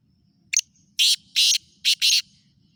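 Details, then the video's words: Black francolin, called kala teetar, from Khushab. It gives a grating, rhythmic phrase: a short clipped note, then two long rasping notes, then a quick pair of harsh notes, against a near-silent background. "kala teeter ki awaz"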